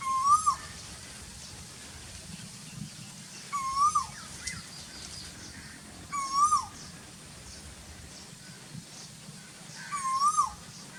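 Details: Four whistled calls of an Asian koel in the very hot season, repeated about every three seconds. Each note rises and then falls away quickly, with faint low rumble between them.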